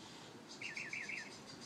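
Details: Bird heard in the morning giving four quick, bright chirps in a row, each rising then dropping, over soft background hiss.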